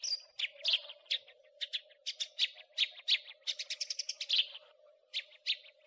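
House sparrow giving bright, harsh chirps, two or three a second, with a quicker rattling burst midway, over a faint steady hum.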